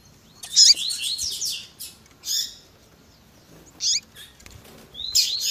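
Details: Double-collared seedeater in the tui tui zel zel style with female calls: harsh, buzzy high bursts and scratchy chirps in several separate phrases with quiet gaps.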